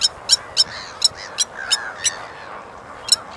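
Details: Blacksmith lapwing gives sharp, metallic 'tink' notes like a hammer striking an anvil, about eight in quick irregular succession, over a soft, murmuring background.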